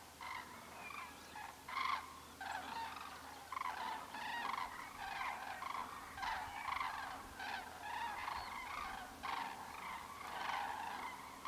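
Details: Common cranes calling repeatedly, a chattering series of loud trumpeting bursts with rich harmonics, coming in uneven clusters every second or so, with other birds calling faintly behind and a low hum.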